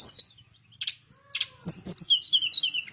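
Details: Teledekan Melayu, a flycatcher kept as a songbird, singing energetically: a high whistled note, two short clicking bursts, then a quick run of bright whistled notes that slide downward, with soft knocks underneath.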